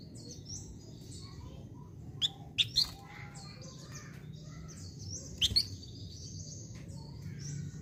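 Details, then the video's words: Minivet calling energetically: scattered sharp, high chirps, a cluster of three around the middle and another pair later, with faint twittering and steady low background noise. "BURUNG FLAMBOYAN GACOR"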